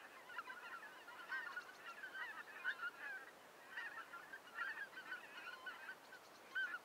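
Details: Wintering greater white-fronted geese (Anser albifrons) in Germany give a continuous chorus of high, yelping, laughing double notes from many birds calling together.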